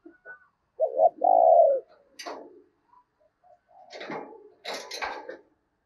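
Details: Decoy spotted dove calling to lure wild doves: a short doubled note and a drawn-out coo, followed by scraping and rattling noises.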